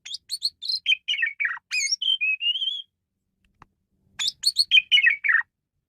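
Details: Varied song of a male Asian pied starling, used as a lure for training birds: quick clusters of bright chirps and falling warbles, a drawn-out wavering whistle, a pause, then another string of rapid chirped notes.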